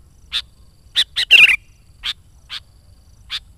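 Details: Sooty-headed bulbul in lively song, used to lure wild bulbuls and trap birds: short sharp chirps at irregular gaps, broken by one harsh, rattling burst of chatter near the middle; quiet background.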